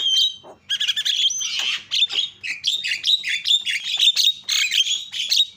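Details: Javan myna lure calling to make other mynas respond: loud rasping squawks and chattering notes in quick succession, punctuated by short clear whistles, almost without pause.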